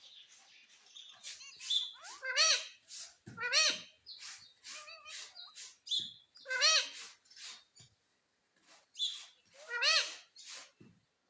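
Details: Pet green ring-necked parrot at home, said to say mitthu and mummy; clear harmonic rising-falling talking syllables in short bursts, with loud broadband squawks and chirps between them.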